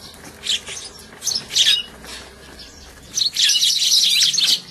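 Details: Several sparrows squabbling while eating at a feeding spot and hiding in a bush, 8 February 2011: harsh, high chirps in quick, scrappy bursts, a short flurry first, then a longer, dense tangle of squabbling calls.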